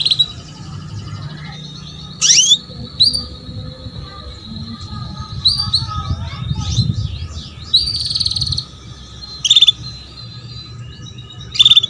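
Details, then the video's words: Female canary enticing a young male to sing, giving a long steady whistled tone broken by sharp rising chirps and short buzzy trills, over a low hum and faint rumble. "KENARI BETINA MEMANCING JANTAN || PANCINGAN KENARI PAUD AGAR BUNYI"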